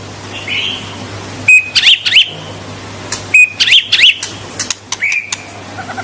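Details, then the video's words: Murai batu, the white-rumped shama, singing to rile rivals: spaced phrases, each a clear flat whistle followed by sharp sweeping high notes, repeated about three times a minute's pace of bursts, with quieter stretches and a low hum. "Suara kicau murai batu super gacor.Membuat Murai lawan mbagong"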